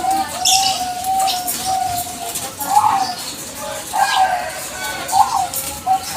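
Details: Lively Bangkok zebra dove singing nonstop as a lure to make other doves answer: mellow, mid-pitched coo phrases roll on steadily, with slightly louder notes about once a second, over soft background chatter.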